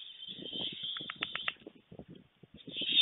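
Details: Young white storks on a webcam nest at Fohrde, Germany, in late July 2019 in the afternoon. They beg eagerly when a parent arrives without food. A continuous high wheezing hiss sits over soft thumps and rustling, swelling loudly at the end.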